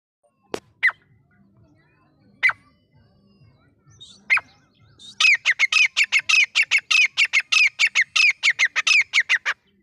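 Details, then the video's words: Grey francolin, known locally as gora teeter, calling: a few sharp, isolated harsh notes spaced about two seconds apart, then a fast, loud run of about twenty clipped, harsh notes in quick, steady succession. "gora teeter calling"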